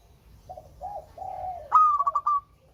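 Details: Local zebra dove singing melodiously, used to prompt reluctant birds to sing: several soft low coos, then a louder bright phrase that rises and breaks into a quick run of pulsed, trilled coos lasting under a second.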